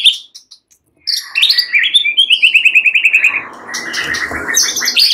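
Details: White-rumped shamas, fighter birds, answering one another in agitation. A few sparse high notes give way to a fast run of about fifteen repeated notes that step gradually downward, then denser warbling.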